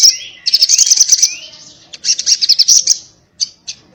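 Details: Crimson sunbird in combative 'tarung ngalas' chatter: thin rising whistles, then two bursts of rapid high buzzy ticking separated by a short pause, ending in isolated sharp squeaks.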